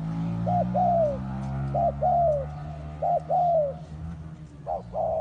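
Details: Trapping-bait spotted dove, readied for the forest, sings four coo phrases, each a clipped opener and a longer falling note, above a steady low electrical-sounding hum.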